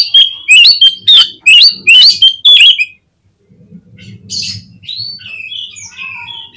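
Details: Oriental magpie-robin song played as a lure to make birds answer and open their tails: a run of loud, rapid whistled and chattering notes, then quieter thin whistles over a low background hum.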